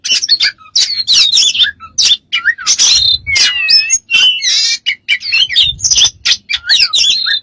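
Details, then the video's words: Bird pouring out a dense jumble of strange sounds: rapid chirps, squeaks, wavering whistles and harsh squawks with barely a pause, plus a faint low background hum. "smart bird have lost of strange sounds"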